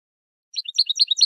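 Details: European goldfinch, 'limpio' style: after a brief silence, a quick burst of high, liquid twittering notes, bright and chattering.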